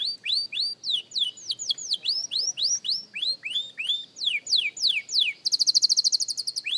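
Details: Beginner canary singing, repeated rising and falling whistled slurs about three per second, ending in a bright rapid high trill.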